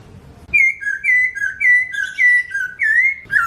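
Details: Chinese hwamei singing loud, clear whistles that alternate between a higher and a lower note in a bouncing two-note pattern, about six pairs in quick succession, with the last note rising.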